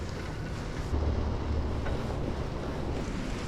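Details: Strong wind buffets the microphone over a low rumble of water and waves, with no animal voice anywhere.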